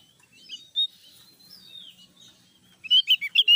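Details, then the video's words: Loud singing from a Javan grey-throated white-eye: one sharp high note early, soft faint twitters, then a sudden burst of rapid, piercing chirps at the close. "suara keras burung opior jawa gacor"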